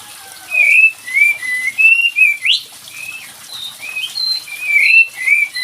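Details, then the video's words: Lure recording of a kapas tembak bird, used to make a reluctant bird answer: a run of short, sweet whistled phrases, a few sharply rising, over a constant background hiss. "SUARA PANCINGAN UNTUK KAPAS TEMBAK MALAS BUNYI"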